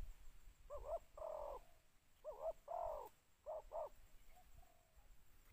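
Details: Spotted dove decoy calling to attract other doves in a two-note coo style: low, hollow cooing phrases of a short note then a longer one, repeated three times, fading into softer coos, with faint hiss behind.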